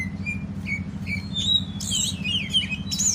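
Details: Short whistled notes from a greater green leafbird, at first spaced apart, then a louder flurry of high twittering. A strong droning hum fills the background throughout.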